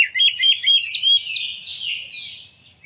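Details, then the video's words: Oriental magpie-robin song used as a lure to make other magpie-robins sing, spread their tails and show their repertoire; a run of bright, high whistled notes repeated in quick series, then a fading, scratchy warble. "Pancingan Kacer Gacor Ngeplong Nembak! Buat Kacer Lain Ikut Buka Ekor Keluar Isian"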